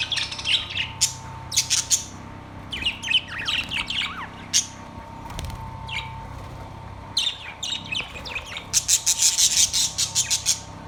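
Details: Budgerigars in a cage, recorded September 3, 2023, chattering in lively bursts of squeaky chirps and warbles, ending in a rapid run of sharp repeated notes, over a soft steady hum.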